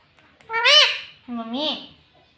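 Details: Indoor pet green ring-necked parrot mimicking speech, two drawn-out word-like syllables with rich harmonics, the first higher and brighter, the second lower and falling, in a quiet room.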